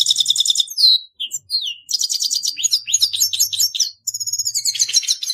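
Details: Carduelis caniceps, the grey-headed goldfinch, in full song: a buzzy trill, a clear descending whistle, then bursts of rapid tinkling twitters and chattering notes, with short gaps between phrases.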